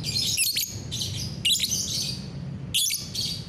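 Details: Caged lovebird in morning song, 30 November 2021: dense, harsh high chattering bursts with squeaky notes, three phrases in under four seconds, steady low background hum.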